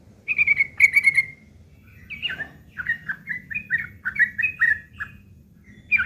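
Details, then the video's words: Sooty-headed bulbul giving rough ngeriwik chattering, used as filler material to tutor long-tailed shrikes: a run of sharp bright chirps, then a quick series of short, falling, slightly harsh notes with small gaps and a low background hum. "trucuk ngeriwik kasar isian burung CENDET"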